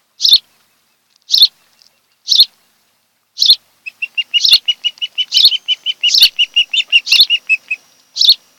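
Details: Osprey pair at their nest on Kent Island, Maryland, on 26 July 2018 in the afternoon: sharp, high chirps about once a second, then a fast run of about fifteen clipped, even notes before single chirps resume.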